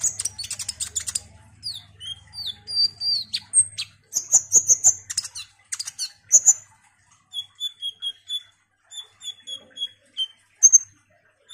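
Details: Frequent, vigorous olive-backed sunbird song: dense buzzy trills and twisting squeaky notes early on, then a calmer series of paired level high whistles with an occasional sharp chip.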